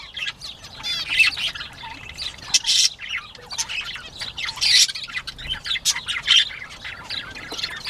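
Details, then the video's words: Playing bobwhite quail recorded 19 April 2017 at 10:13 AM: irregular harsh squawks and short high chirps separated by quieter chatter, with a few brief trilled notes near the start. "Bobwhite Quail playtime"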